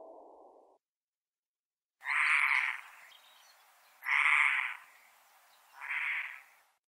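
Eurasian hoopoe: a brief soft, low hollow note, then three harsh, rasping bursts spaced about two seconds apart.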